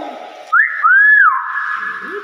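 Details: Common hill myna, a caged pet bird, giving a loud clear whistle that rises, holds a long arched note, then flattens into a sustained tone, with people talking and encouraging it nearby.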